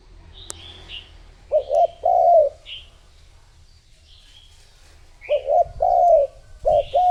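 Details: Spotted dove lure call used to attract other doves: two bouts of short stuttered coos followed by a longer drawn-out coo, low and mellow, with faint high chirps from other small birds between phrases.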